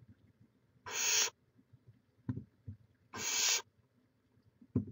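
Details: At a barn owl nest in Chula Vista, California, recorded by live cam in May 2017, two rasping hisses of about half a second come two seconds apart, with scattered bumps and scratching.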